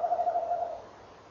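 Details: Tawny owl (Strix aluco) at 06:45 on 18 November 2013: the male gives a low, wavering, tremulous hoot under a second long, with the female answering and encouraging him, then quiet background hiss.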